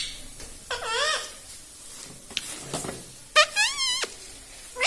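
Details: A pet rose-ringed (ringneck) parakeet says "Mummy" ("Mami") twice in a high, nasal, wavering voice, each about half a second long, with a few soft clicks and room noise between.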